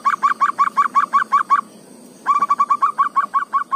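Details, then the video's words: In the forest, a local zebra dove delivers its melodious song as quick, regular staccato coos, breaking off briefly before a second rapid string of identical notes. "suara perkutut lokal di tengah HUTAN, suaranya merdu dan pulen"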